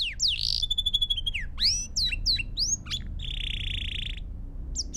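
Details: Pure Belgian canary song meant for training young birds: sweeping upslurred whistles, a ringing held tone, then a long even buzzy trill before short whistled notes return.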